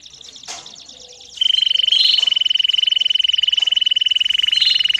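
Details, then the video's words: Domestic canary (canário do reino) singing, for young birds' training: after a few soft scattered sounds, one long even rolling trill on a steady high pitch continues for several seconds without a break. "CANÁRIO DO REINO CANTANDO E CHAMANDO"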